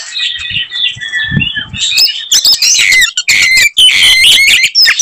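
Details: Oriental magpie-robin (kacer), singing its fighting 'tembakan' material to rile other magpie-robins: drawn-out buzzy trills and a steady whistle, then loud harsh churrs, with soft low thumps early on.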